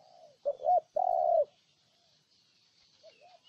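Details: Spotted dove in Ninh Thuận calling: a close, loud two-note hoot followed by a long low coo, then a faint, more distant coo answering near the end.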